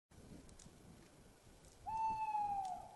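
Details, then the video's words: Tawny owl in Estonia, 5 March 2020 at 20:37, male calling first with the female answering; heard is a single drawn-out, even hoot sagging slightly in pitch, nearly a second long, over steady hiss. "Tawny Owl call first the male, female answers"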